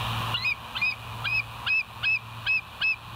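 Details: Bald eagle on a West End live cam, 9 September 2023 at 10:28: a run of seven short, sharp, high chirping notes, one roughly every 0.4 seconds, over light hiss and a steady low hum.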